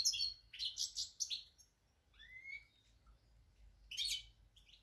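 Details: European goldfinch song from 8 February 2020. Rapid bright twitters give way to a rising slurred whistle, then a quiet gap and a final burst of jangling notes.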